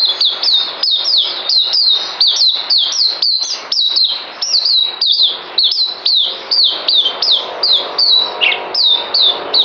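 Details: Caged songbird due for deworming, recorded 9 December 2018, pouring out rapid, ringing whistled notes that dip and slur downward in a steady, busy stream, with one lower note near the end.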